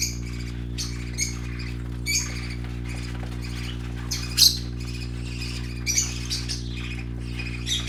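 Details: Baby parakeets with colourful plumage squawk and chirp in scattered, sharp bursts during play, one especially loud squawk near the middle, over a low steady hum.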